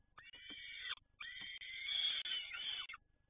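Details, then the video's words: Peregrine falcon in Toruń calling: a short harsh note, then a longer strained, grating wail, both rich in overtones. "Sokół wędrowny"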